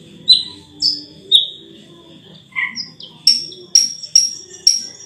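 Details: Sulawesi myna singing sweetly: sharp clear chirps and brief whistled notes, some descending, repeated about twice a second toward the end. A high thin constant tone and faint low background murmur.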